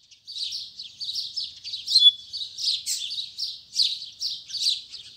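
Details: Morning song of a Braddock double-collared seedeater in the tui tui zel zel style: a steady series of buzzy, scratchy phrases repeated about twice a second, with one brief clear whistle.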